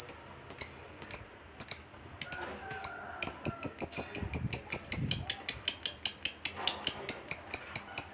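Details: Fighter lovebird giving the long ngekek chatter, used to stimulate other lovebirds to sing; spaced high chirps quicken into a steady, fast run of sharp, evenly repeated notes, about four per second.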